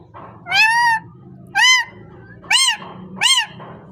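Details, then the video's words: Parrot uttering four loud, rich, harmonic squawks, each arched in pitch and roughly a second apart, the first held longest, over a low background hum. "Amazing parrot talking and voice"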